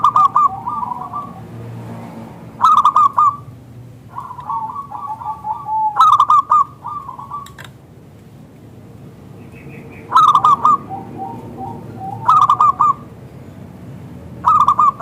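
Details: Local zebra dove calling as a lure to make other doves reply: loud bursts of four or five quick ringing coo notes recur every two to four seconds, with softer trailing coos between, over faint low hum.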